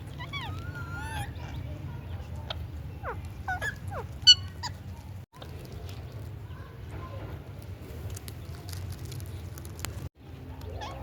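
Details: Indian ringneck parrot giving a quick burst of sharp, harmonic squawks and upswept chattering notes in the first seconds, followed by scattered short calls over a steady low hum.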